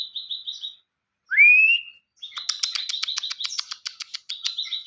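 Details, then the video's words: Ciwah in energetic song for tutoring other songbirds: a short run of high chirps, then a loud, upward-sliding whistle, then a quick, spiky series of sharp chirps. "Ciwah gacor utk masteran burung"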